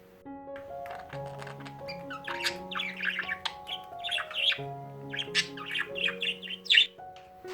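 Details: A happy budgerigar keeps up monotone chatter, a steady, scratchy warble of quick chirps and squeaks over soft background music.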